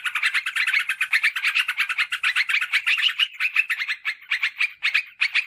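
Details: Yellow-vented bulbul chattering used to lure wild birds and tutor household birds: a steady stream of fast, bubbly notes that thins into separate bursts toward the end.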